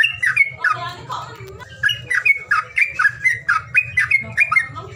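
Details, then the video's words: Bird call meant to prompt silent birds: mixed chirps and descending slurs first, then a rhythmic chain of bright chirps about four per second, all over a constant low hum. "SUWARA PANGILAN BURUNG MALES BUNYI"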